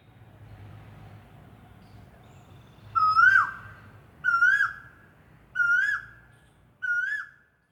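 An Asian Koel gives four loud, clear whistled notes, each swooping upward, about one every 1.3 seconds, over a low background hum.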